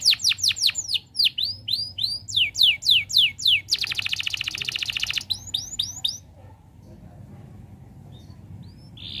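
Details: Canary in full song, used to prompt other canaries to sing: rapid falling whistled notes, then a dense buzzy rattle lasting over a second, more quick notes, a long pause, and one short high note near the end.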